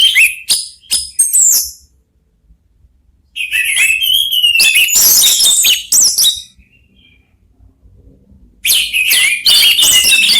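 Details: Orange-headed thrushes, three birds trading song: sharp chirps and whistled phrases in loud bursts, with pauses of a second or two between outpourings.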